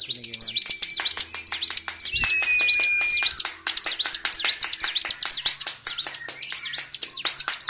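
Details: Bar-winged prinia stirred up and singing without stopping, February 2023. Dense bursts of high, sharply swooping chirps come at a quick pace, with a long thin steady whistle and brief low noises underneath.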